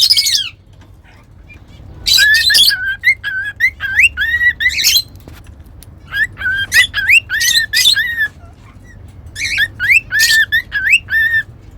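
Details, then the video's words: Singing pet cockatiels, a whistling lesson recording; harsh squawk bursts interleaved with bending whistles, repeated in phrases over about twelve seconds with quiet gaps. "Cute Cockatiels Whistling & Singing"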